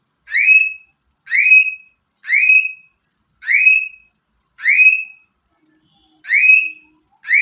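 A cockatiel gives loud, rising, slurred screeches about once every second.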